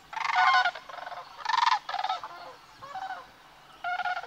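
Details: Migrating Sandhill Cranes in Nebraska's Platte River Valley near Sutherland, on the morning of March 18, give rolling, rattling bugles in about six bursts over four seconds, some loud and some fainter, as if several birds are calling together.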